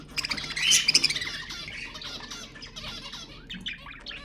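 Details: Budgerigar song for mating stimulation: a loud burst of rapid rattling, squawky notes at the start, fading into soft continuous twittering.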